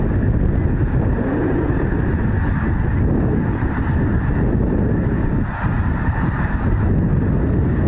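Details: Continuous roaring wind or engine-like rumble fills the whole recording, with no animal calls audible.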